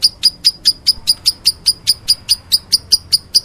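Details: Lovebird in meloloh style: evenly spaced, piercing single chirps repeated about four times a second, crisp and uniform throughout.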